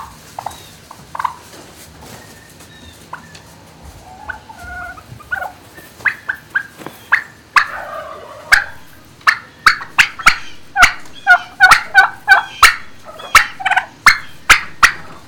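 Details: Turkeys in a barn, recorded on 26 March 2019 around midday: soft scattered murmurs at first, then a building run of loud, sharp, ragged calls and gobble-like bursts, coming roughly three times a second toward the end.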